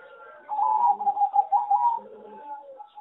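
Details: A farm-raised zebra dove bred for singing contests gives one short, rapid trilled coo phrase lasting about a second and a half, over faint low cooing from other birds.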